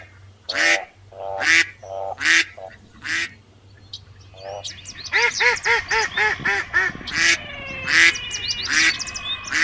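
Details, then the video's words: Loud duck quacks in a steady series, with several overlapping quacking voices joining in the second half so the calls become busier and crowded. "Som Do Pato | Barulho Do Pato"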